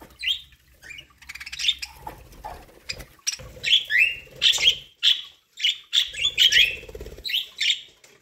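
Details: Budgerigars kept as pets eat corn, with a busy stream of short chirps and twittering notes, some rising sharply, over low rustling and pecking sounds.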